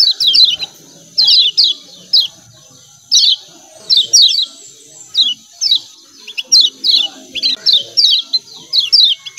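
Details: Lemon-bellied white-eye producing a lively run of 'ciak ciak' calls: clipped descending chirps in bursts of two to four, growing denser toward the end, with a soft high hiss throughout.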